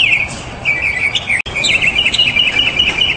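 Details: Mockingbird pouring out a continuous jumbled warble of quick varied chirps and twitters, with brief breaks, against a soft hiss.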